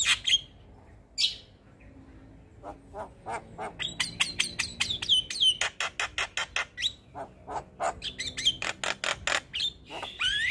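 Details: Black-winged starling, white-eyed type, in a morning training recording of its full varied song: a long run of sharp clicking chips and whistled upslurs repeated rapidly, mixed with a few harsh squawks.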